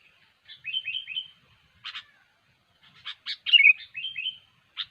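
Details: Sooty-headed bulbul singing lively, used as a lure for bird trapping: short bubbly whistled phrases of three or four quick slurred notes, with sharp chirps between them. The background is quiet.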